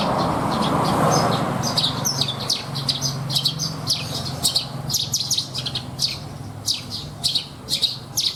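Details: Horsfield's bush lark held in a cage for bird contests, singing its rich 'isian' mimicry-filled song of scattered sharp high chips and short buzzy bursts, with low hum throughout.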